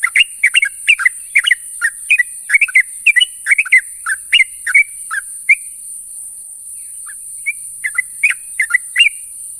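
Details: A sooty-headed bulbul in the morning calls companions with rapid bubbly slurred chirps, falling quiet for a few seconds, then resuming with scattered clear notes; high steady hiss underneath.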